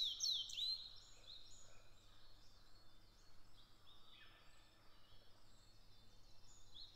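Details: Grey bunting (Emberiza variabilis) song in Japan: a brief, clear, high whistled phrase of sweeping notes, then faint distant bird calls over a steady low hum.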